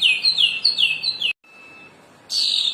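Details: Cendana bird, a captive bird kept for a year, sings a quick run of high, bright notes falling in repeated phrases, about four in just over a second, then a brief gap and more song.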